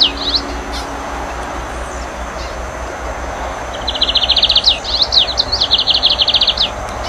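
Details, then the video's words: Lined seedeater, also called tucero, corbatita or bengalí: a fast series of high, sharp repeated chirps in quick bursts, a short phrase at the start and a longer rapid run in the second half, over steady low rumbling noise. "CANTO DE TUCERO - CORBATITA - BENGALÍ - Sporophila lineola"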